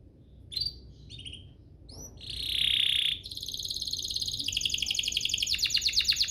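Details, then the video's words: Canary song aimed at getting other canaries to sing: soft scattered notes, a harsh buzzy burst, then a long high rapid trill building in loudness, with low background noise. "Pancingan ini EFEKTIF BANGET, burung kenari lain langsung terpancing untuk GACOR"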